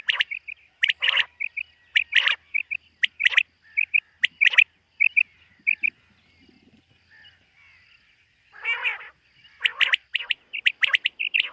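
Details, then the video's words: Morning call of a common quail in a summer meadow, short sharp notes given in twos and threes at a brisk pace, then a pause with a lone buzzy burst before the clipped notes resume. "Common Quail. Bird sounds from summer meadow |suba batair ki awaz 2023 | morning batair 2023"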